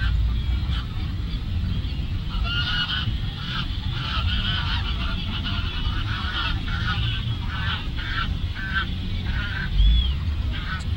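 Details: Geese calling at Lagoa Maior, Três Lagoas: a busy chorus of repeated nasal honks, densest in the middle, backed by constant low rumble.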